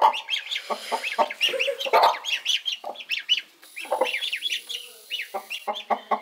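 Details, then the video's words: Mother hen protecting adopted ducklings as her own chicks; short clucks repeated at uneven intervals mixed with many high peeping chirps from the ducklings. "Amazing Mother Hen Protecting Adopted Ducklings"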